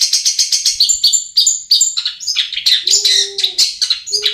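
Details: Long-tailed shrike song as a lure for birds that sing little: quick sequence of sharp whistled and scratchy high notes, with a lower steady tone briefly underneath.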